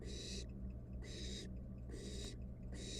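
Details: Wild barn owl nestling, nest box, playing with its food; loud breathy hisses roughly half a second long, four in three seconds, separated by short quiet gaps above a low steady hum.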